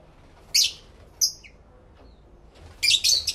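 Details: Captive lovebirds singing and talking to each other: a harsh high screech, a brief whistled note, then a dense pair of shrill chirps near the end, with quiet pauses between.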